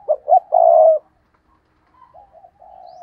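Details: Decoy spotted dove cooing in the 'gù cà lăm' stuttering style to provoke rivals: two quick sharp notes and a long held coo, followed by quieter soft cooing notes.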